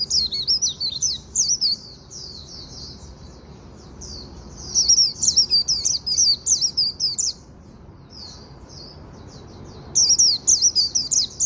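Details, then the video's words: Afternoon 'líu' song of a Japanese white-eye, with bursts of rapid, very high zigzagging twitters separated by softer warbled passages and short pauses. "Chim khuyên líu buổi chiều"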